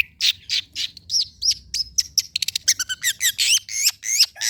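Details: Long-tailed shrike song meant for tutoring and luring cage birds: a rapid, varied string of high, sweeping whistles and squeaky rising and falling notes, with a short stuttering buzzy burst in the middle.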